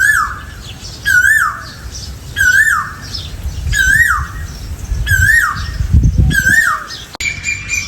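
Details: Asian koel, male and female mentioned, calling outdoors: a loud two-part whistle, a rising note then a falling slur, repeated about every second and a quarter six times, with low rumbling background noise and a click near the end.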